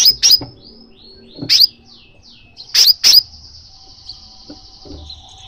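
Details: Crimson sunbird calls, played to prompt a pet sunbird to sing: sharp high chips in pairs and clusters, interspersed with thin falling whistles and a long steady high whistled note toward the end.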